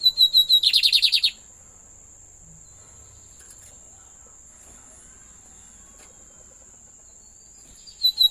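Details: Pet lined seedeater song: a fast, dense burst of rapid trilled and buzzy notes over about one second, then a long quiet pause with a steady high hiss, before high chirps resume at the end.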